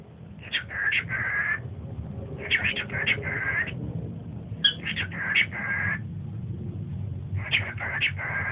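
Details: Pet cockatiel whistling at a large Siamese cat, testing the cat's limits. Three bursts of quick whistled phrases, each a run of short rising notes ending in a longer held tone, about two seconds apart, over a low steady hum.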